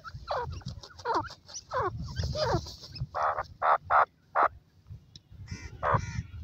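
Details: Female francolin calling loudly: a rapid run of rasping, chattering notes, then four or five separate broad, harsh calls about half a second apart, with steady low background rumble.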